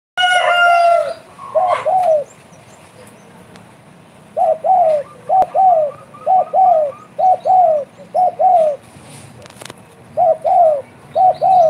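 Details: Spotted dove (derkuku) singing persistently in the 'bekur' cooing style: mellow, low hooting coos in short two- or three-note phrases, repeated about once a second after an opening harsh note, with quiet pauses between bursts.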